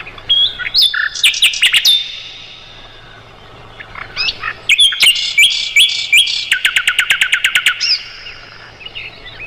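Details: Mugimaki flycatcher song, compiled for training songbirds of the roll-tembak type. Bursts of sharp, high chips and warbled phrases alternate with pauses. A long, rapid, evenly spaced clicking trill follows, then soft twitters.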